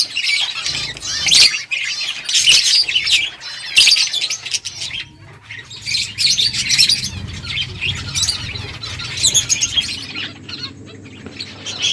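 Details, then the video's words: Several finches chirp while eating, in quick, high, overlapping bursts with short pauses between flurries; faint low rumble underneath. "finches eating food birds chirping sounds"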